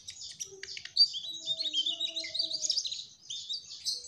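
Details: Trotol Mugimaki flycatcher singing a fast, high warbling chatter. Scratchy chirps blend into squeaky trilled phrases, with soft lower tonal notes briefly audible behind them.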